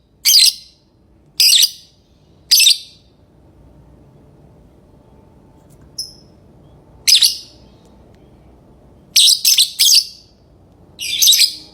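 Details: Lovebird uttering short, sharp, high screechy chirps separated by long pauses, ending in a quick cluster of three notes and a final single chirp.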